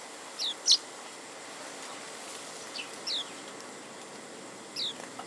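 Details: Japanese white-eye recorded at home on 10 January 2014: a series of five brief, high, downslurred tseep notes spaced irregularly over five seconds, with a soft steady background hiss.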